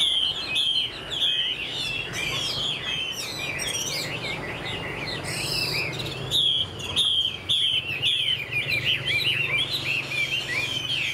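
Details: Chinese hwamei, a young caged bird for sale, singing a rich, varied run of whistled, slurred phrases, rising and falling notes repeated in quick bursts, with a low steady hum beneath.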